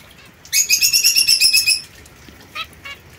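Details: Captive young zebra finch pair, female white and male mosaic-coloured, isolated to prevent inbred pairings; a fast burst of about ten nasal, trumpet-like beeps, followed by two soft single chirps.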